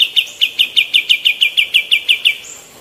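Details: Energetic female white-eared bulbul, used as tutoring material for other birds: a steady run of about fourteen crisp, evenly spaced notes, fading at the end.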